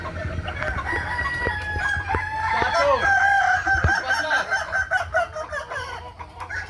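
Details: A chorus of Kukuak Balenggek roosters crows at a May 2024 practice contest in Ampang Kualo, Kota Solok: long held tones slide down in steps, overlaid by other crows and scattered clicks and knocks.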